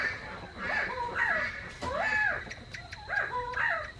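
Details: Captive Northern Bobwhites in a quail barn, adults circling and inspecting newly introduced young (their own hatched offspring) as intruders, give repeated arched, slurred whistled calls, rising then falling, overlapping every half second or so, with barn noise.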